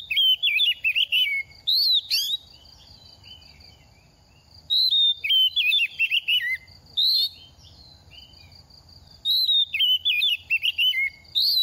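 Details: Oriental magpie-robin in moult, a second-season bird eager to sing, delivering three bursts of quick warbled whistles with rising upslurs, each about two seconds long and separated by pauses of roughly two seconds.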